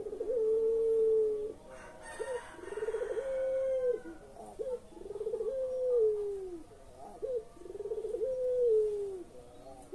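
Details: Pelung-style collared dove cooing, used to coax quiet birds into calling: repeated drawn-out mellow coos, each starting with a quick upturned note and then held level or sliding slightly down, about four phrases, with a short rough noise near the start.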